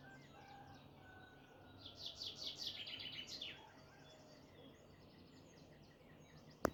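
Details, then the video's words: Early morning song of a forest bird near Babol in Iran's Mazandaran province: a short, rapid series of high chirped notes rising to a brief flourish, quieter than the background, ending with a sharp click. "صبح زودصدای زیبای پرندگان Early morning in the forest and the beautiful and soothing sound of birds"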